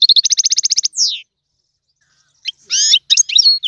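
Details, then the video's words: Goldfinch song, tiwawati style: a fast run of about fourteen evenly repeated high chirps, a falling whistle, a pause of over a second, then a burst of scratchy twittering notes. "تغريد الحسون طيواواطي"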